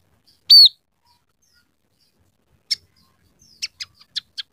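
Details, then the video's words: Scaly-breasted munia singing with canary, house sparrow and red siskin sounds learned into its song; one loud, sweet falling whistle, a long silence, then a few sharp, separated clicking chips. "masteran burung emprit peking gacor isian suara kenari kasar"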